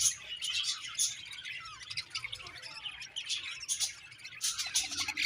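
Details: A happy budgerigar colony keeps up steady high-pitched chirping, with sharp tweets and scratchy warbled notes rising above the constant twitter in a few louder bursts.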